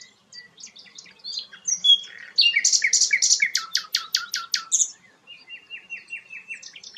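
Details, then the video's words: Sikatan londo, a flycatcher, singing vigorously. High scattered chirps lead to a loud rapid run of buzzy, repeated notes, followed by a thinner series of short evenly spaced whistled notes. "burung sikatan londo gacor"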